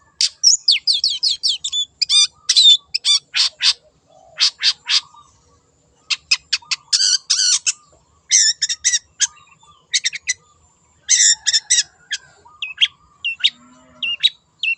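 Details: Wild long-tailed shrike in energetic lure-style song: rapid bursts of clicking, rattling notes repeated in clusters, with harsh buzzy phrases and short whistles, nearly continuous for the whole stretch.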